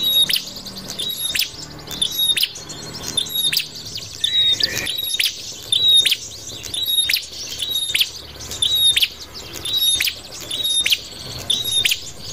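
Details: A prinia gives sharp, high, clicking chip notes with short thin whistles, repeated about once a second in uneven bursts against a faint background hiss; the recording is used as a lure for trapping prinias.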